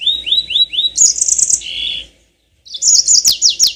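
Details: Yellow-fronted canary singing, used to coax caged canaries into long rolls: a string of rising whistled notes, a high buzzy trill, a pause, then quick repeated downslurred high notes.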